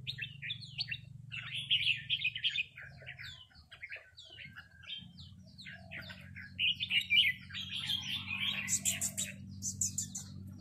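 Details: Two red-whiskered bulbuls call back and forth in rik calls as a newcomer is challenged by a resident territorial bird; fast chattering, squeaky notes come about three per second, with a steady low hum behind.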